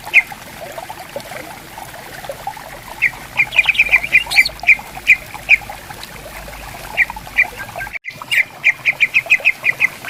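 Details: Greater green leafbirds answering each other in a bamboo forest beside a clear, gently flowing river: sharp, high, clipped notes in quick runs and bursts, pausing between phrases, over a steady murmur of running water.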